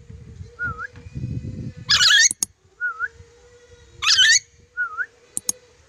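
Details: Lory from Sulawesi giving two loud, harsh broadband screeches about two seconds apart. Short whistled notes and a steady background hum sound between them, with faint rustling.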